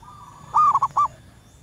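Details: Female zebra dove in the wild, calling males, used as a lure sound: a faint steady tone leads into a sustained coo, then three quick staccato coos at the same pitch.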